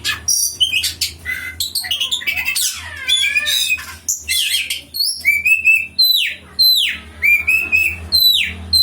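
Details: Striated grassbird song meant to prompt a kept bird to sing: jumbled scratchy chatter and warbles, then a clear run of sharp downward-sweeping whistles each followed by a level note, repeated.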